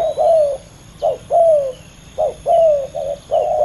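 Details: Two competing male spotted doves in a heated ground contest. A short coo is followed by a long coo that drops in pitch. The pairing repeats three times, with brief quiet gaps.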